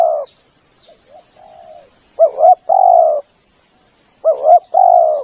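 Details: Lure recording of a spotted dove: hoarse paired coos each followed by a longer level coo, the phrase heard twice, with a few thin high chirps from another bird and quiet soft notes between.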